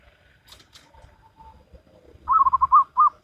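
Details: Local wild zebra dove singing in Salendro rhythm: after soft background rustles, a lively run of bubbling staccato coos, about six notes, then a final fuller note.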